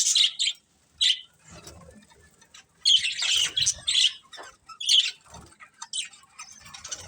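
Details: Two budgerigars, a breeding pair, making sharp squawky chirps in spaced bursts, with warbled chatter between louder calls and soft background rustling.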